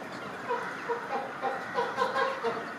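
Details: Chilean flamingos displaying in sync, a flock giving many overlapping short honking, goose-like calls in a steady chattering stream, with louder pulses roughly every half second.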